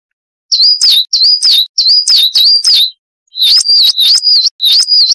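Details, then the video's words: Long 'wucit-wucit' song of a Coal tit (Periparus ater), made for training caged birds: bright, high, wavering whistled phrases repeated quickly in two bouts, with a short pause between them and no other sounds. "Masteran Burung Gelatik Wucit Panjang Ngalas - Coal Tit"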